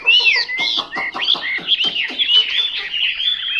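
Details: Chinese hwamei delivering loud, clear whistled phrases that sweep and swoop, opening with sharp downward strokes and then flowing into a smooth, warbling high melody.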